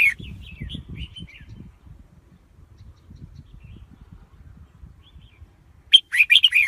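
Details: Soft scattered chirps from a red-whiskered bulbul over a steady low rumble, ending in a sudden loud, bright warbling phrase of quick whistled notes.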